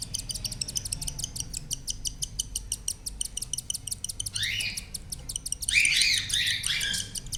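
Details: Four cockatiel chicks inside a nestbox give rapid, high, raspy begging calls while being fed by their parents, joined by louder squawking bursts.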